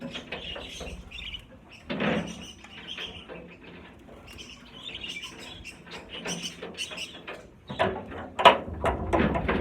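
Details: Around 50 caged budgerigars during a move to a larger flight cage give quick chirps and scratchy warbles in irregular bursts, with wing flaps and thumps of cage handling between calls.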